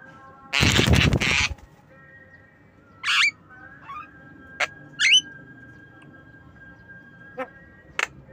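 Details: Javan myna calling in the afternoon: a loud harsh rasping burst lasting about a second, then several short, sharply rising whistled notes and brief clicks spaced a second or two apart over a quiet background.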